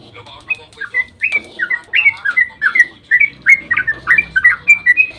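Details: Yellow-vented bulbul in rapid dawn song used to draw responses from other bulbuls: loud, clear, downslurred whistles following one another in quick succession.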